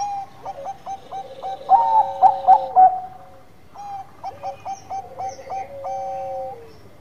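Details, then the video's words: Zebra dove of Bangkok type singing in full: repeated stuttering coo phrases with quick clipped notes over a lower sustained tone, a louder middle burst, a pause, then another phrase ending in a sinking note. "Perkutut Bangkok Gacor Manggung"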